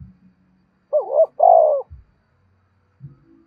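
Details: Spotted dove cooing to lure wild doves: a single two-part coo, a short wavering phrase followed by a longer, fuller drawn-out note, with faint low knocks before and after.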